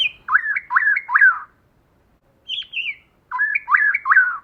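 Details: Female white-rumped shama song in forest style, a high wavering whistle then three looping lower warbled notes, repeated in two bouts separated by brief silence.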